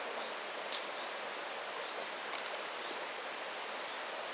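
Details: Tawny-bellied hermit (Phaethornis syrmatophorus) at La Romera nature reserve, Sabaneta, Antioquia, Colombia, in 2012, repeating a very high, thin, sharp note about every two-thirds of a second over a steady rushing hiss of background noise.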